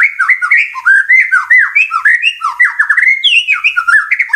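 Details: Murai batu, the white-rumped shama, in a lure recording meant to stir birds to sing. It delivers an unbroken torrent of rapid, varied slurred notes and squeaky chatter that rise and fall without pause.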